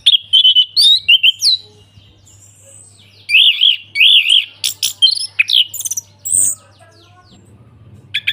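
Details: An orange-headed thrush sings ngeplong, a full open song meant to stir quiet thrushes: warbled whistles, then wavering trilled phrases, a few shrill high notes, short gaps, and a faint low hum throughout.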